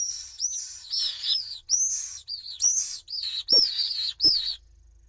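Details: Pallid swift pair cuddling at night inside their nest at a school in Jerez de la Frontera, Cádiz, Spain, picked up by a nest webcam: shrill, buzzy screeching trills, about seven bursts that waver and fall, with a couple of sharp clicks.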